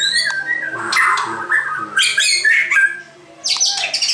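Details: Varied song of a white-crowned shama: scratchy, squawking phrases mixed with brief high chips and rising notes, a short pause, then bright high chatter, over a faint low hum.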